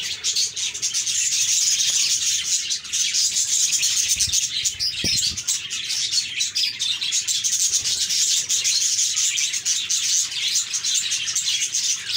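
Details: Budgerigar chorus of constant rapid twittering, thin high chirps and squeaky warbles piling over one another, plus a few soft low thumps near the middle.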